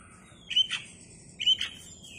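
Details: Oriental magpie-robin with spread tail giving two loud phrases about a second apart, each a thin drawn-out whistle ending in a sharp, buzzy burst, over a quiet background.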